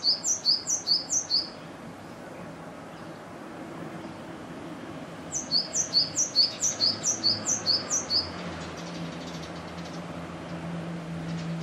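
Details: Territorial song of a male great tit above its nest box in a home garden in Yokohama, Japan, April 2013, early in egg-laying or incubation; brisk two-note high phrases in a short run, then a longer run of about ten repeats, with faint background hum.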